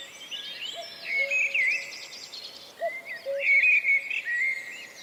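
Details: Welsh recording from April 2004 of a Common Cuckoo: two quiet, low, falling cu-coo phrases about two seconds apart, under a busy chorus of whistled and chirping songbirds that dominates.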